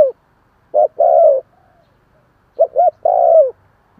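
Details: Spotted dove calling to provoke newly caught doves to answer. Two phrases, each a brief hoot or pair of hoots then a longer smooth coo, separated by about a second and a half of near silence.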